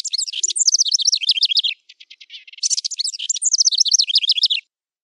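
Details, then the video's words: A wren, recorded as a training master for caged songbirds, sings two bright, rapid, high-pitched trilled phrases of looping notes, separated by a short run of dry ticks. The background is clean. "Suara Masteran Burung Wren"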